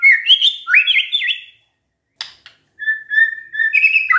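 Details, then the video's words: White-rumped shama song played as a lure so shamas respond: looping whistled phrases with sharp up-and-down sweeps, a pause broken by a click, then a long, even, buzzy trill ending in higher whistled notes. "pancingan murai batu GAK PAKE LAMA, murai langsung nyaut saat dengar ini"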